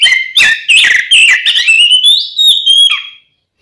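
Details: Oriental magpie-robin in gacor fighting song used to provoke rival magpie-robins into aggression: loud whistled phrases with rising and falling glides, sliding notes and a long steady whistle, rapid varied notes mostly high-pitched.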